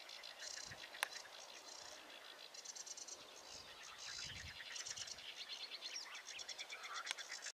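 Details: Sedge warbler singing steadily: a long, restless stream of rapid chattering and buzzy notes, short repeated phrases and quick rattling trills with almost no pauses, heard against a quiet background.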